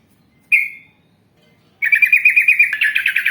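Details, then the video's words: Yellow-vented bulbul in lively, vigorous voice: a single bright chirped note, a pause, then a fast rattling run of rich, rapid notes that continues to the end. "Masteran Trucukan Gacor Ngalas Panjang Ropel Panjang"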